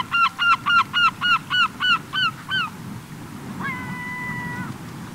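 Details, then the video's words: End-of-summer gathering of gulls on a beach in the Cotentin, 7 September 2024: eight rapid, evenly spaced barking calls that fade toward the end, then one longer, flat, drawn-out call, with surf rumbling underneath. "Mouettes et Goélands/Regroupement/Fin d'Été !"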